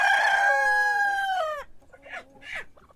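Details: Cock crowing in the morning, a strong harmonic crow held about one and a half seconds with a falling tail, then two shorter, fainter crows from other birds.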